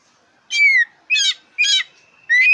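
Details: Black-breasted oriental magpie-robin (kacer dada hitam), a very vocal bird whose song is used to prompt contest birds to sing: four clear whistled phrases, each a bright downslurred note with buzzy overtones, spaced about half a second apart.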